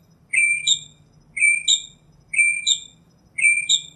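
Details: Singing northern mockingbird delivering a clean two-part whistled phrase four times, about once a second. Each phrase starts with a sharp high note and slides into a sustained lower whistle, over a faint hum.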